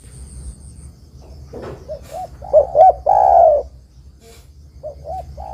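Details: Spotted dove song played to attract and trap wild doves: soft short coos building to two louder hooked notes and one long descending coo, with a brief rustle and faint background hum.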